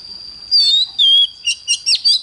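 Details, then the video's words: Oriental magpie-robin singing in the morning in a fired-up 'căng lửa' style: clear whistled notes, one long falling slur, then a run of short bright whistles and twisting phrases, over a steady high-pitched background tone. "Chích choè than hót sáng || Luyện choè than HÓT CĂNG LỬA"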